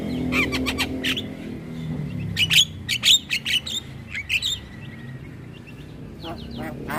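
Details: Javan myna song used to lure every kind of starling: clusters of sharp clicking chips and brief high whistles in quick uneven bursts, with a steady thin tone and low hum in the background.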